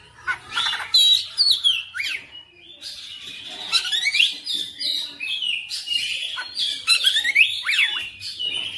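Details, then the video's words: Persistent oriental magpie-robin song showing off its whole repertoire (bongkar materi): a long flowing stream of varied whistles, swooping up and down, with bursts of scratchy chatter between clearer phrases. "KACER NGOTOT GACOR FULL BONGKAR MATERI"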